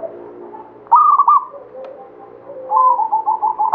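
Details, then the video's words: Local zebra dove of the Banyumili katuranggan type in active song. A sudden burst of rapid, bubbling coo notes is followed by a quieter pause, then a longer run of quick, wavering coos, with faint dove cooing behind it. "SUARA PERKUTUT LOKAL KATURANGGAN BANYUMILI GACOR"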